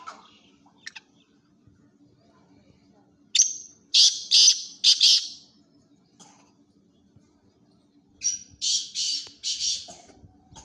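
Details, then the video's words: Two calling phrases from a black francolin (kala titar) kept for calling tournaments, about five seconds apart. Each starts with a clipped whistle, then three or four harsh, scratchy bursts. A low steady hum runs behind them. "Kala Titar Awaz"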